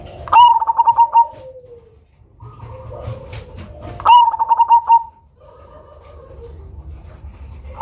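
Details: Zebra dove of the Cemani type, a loud bird used as a lure, gives two loud coo phrases, each a sharp opening note followed by a quick run of short pulsed coos, with softer coos from other doves between.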